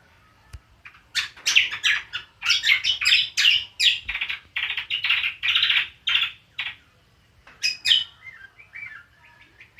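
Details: Cucak kombo singing in the ngriwik style, a rapid run of sharp chattering and twittering notes packed closely together, with short pauses and a few whistled phrases near the end.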